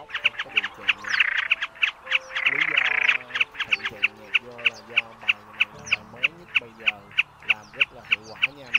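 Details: Large fan-tailed common snipe in a lure recording for night net trapping of migratory birds: a rapid, even series of harsh clipped notes about three a second, with two buzzy rasping bursts early on and low tones beneath.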